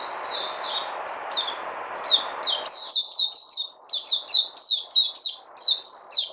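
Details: High, clear chirps from a bird, first soft and scattered over background hiss, then a loud quick series of sharp descending notes repeated almost twice per second.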